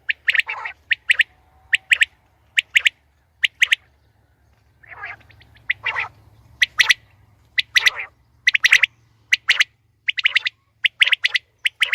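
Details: Female quail (batair) calls, used for hunting: short, sharp, raspy notes given in pairs or threes, repeated irregularly about once a second, with a few softer rougher notes in between; a faint low hum runs underneath.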